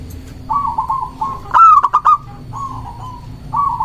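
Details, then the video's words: Local zebra dove singing to lure and challenge rivals: gentle purring rolled notes lead into one loud phrase of a long coo and three short clipped notes, then the soft rolling trill resumes twice. "Perkutut lokal gacor mengundang lawan bunyi"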